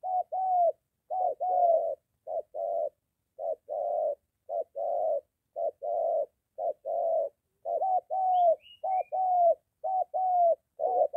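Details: .Spotted dove cooing near home, a moulting decoy bird in training meeting a wild dove; low cooing phrases of a short note and a longer coo repeat steadily about once a second, with a few faint high chirps near the end.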